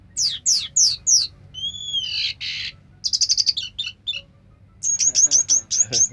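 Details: Orange-headed thrush sings 'sampai teler': four steeply falling whistles, a long pure whistle into a buzzy burst, a rapid stuttering trill, then a string of sharp high chips.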